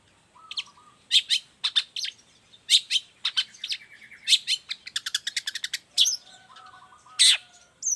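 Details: Lively long-tailed shrike song used to train and provoke other shrikes. Sharp high chirps mixed with fast trilled bursts and a few softer lower whistled phrases in the background.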